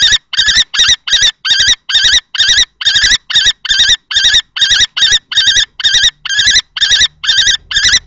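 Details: At a nest box in Théding on 20 March 2024, two male common kestrels, one adult and one juvenile, clash over the site; a rapid series of about twenty shrill, strained kee notes.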